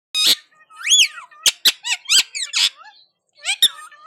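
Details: Indian ringneck parakeet talking in response to another parrot: squeaky, speech-like syllables with rising and falling tones, broken by sharp clicks and brief pauses.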